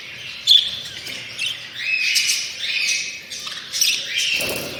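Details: Budgerigar mothers with their chicks chatter with harsh, scratchy squawks and quick chirps, several birds calling over one another.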